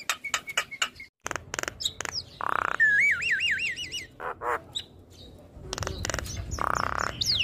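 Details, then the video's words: Black-winged starling singing, nodding as it calls: quick sharp chips, a harsh rasp, a long looping wavering whistle, then more grating bursts. "Dengar Suara Khas Jalak Kebo Gacor MAnggut - Manggut"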